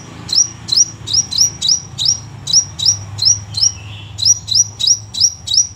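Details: Crimson sunbird in lively song delivered as close-set 'shots': a steady run of piercing, high upslurred chips about three per second, briefly pausing midway, then resuming in quick succession, with a soft low background rumble.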